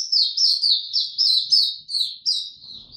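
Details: A caged Oriental white-eye sings buka tiong aw, 25 January 2022, having slept late the night before: rapid run of loud, high, slightly descending slurred notes, about eight bursts in three seconds.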